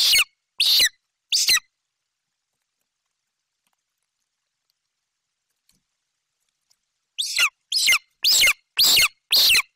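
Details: Nestling golden eagle in Bucovina on 28 July 2021, calling excitedly over prey brought by its mother; three shrill screams, a silence of about five seconds, then six more rapid piercing calls.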